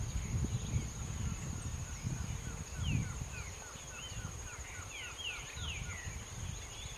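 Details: Planalto tyrannulet in São Mateus do Sul, Paraná, Brazil: a run of short, down-slurred whistled notes repeated several times a second, mixed with higher sliding notes, over low rumbling wind noise.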